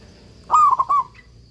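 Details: One phrase from a vigorously singing local zebra dove used as a training master: a smooth coo sliding slightly, broken into two or three quick soft beats, lasting about half a second.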